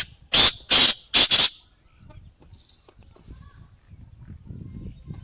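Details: Female black francolin giving four loud, harsh, rasping notes, the last two close together, within about one and a half seconds, followed by near silence with faint low rumbles.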